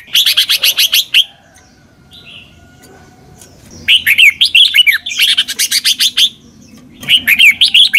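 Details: Thai Red-whiskered bulbul master song in the doubled style from the south, used as a model for young birds to learn: clear whistled warbling phrases mixed with fast chirping notes, repeated in three bursts separated by short pauses.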